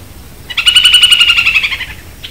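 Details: Hook-billed Kite, a Caatinga bird that feeds on snails, gives a fast, ringing chatter of about a dozen clipped notes per second, holding an even, fairly high pitch for over a second before trailing off.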